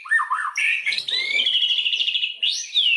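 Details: White-rumped shama lure song, used to make other shamas sing fully: looping whistles, a harsh burst, then a fast buzzy trill ending in a bright upward whistle.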